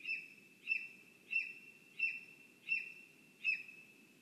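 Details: Lesser spotted eagle calling at its nest in a spruce, Zemgale, Latvia: six sharp, short, high-pitched yelps repeated steadily about every 0.7 seconds, with an unbroken high whine and low rumbling background.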